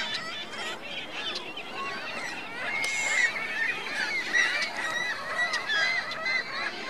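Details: At Virginia Lake, Reno, geese and their goslings keep up a busy stream of short curved calls. Several clear whistled notes repeat quickly over a continuous background murmur of the flock.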